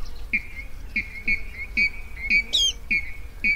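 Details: Rail call played to draw birds into night nets, 2020: crisp, clipped notes roughly every half-second, plus one high squeaky flourish, against steady low background noise.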